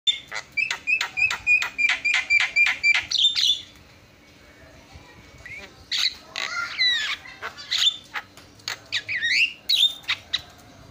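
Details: Javan myna in full, lively song: a run of about ten sharp, evenly spaced notes with a steady whistled tone beneath, a short pause, then a jumble of harsh rasping squawks and twisting whistles.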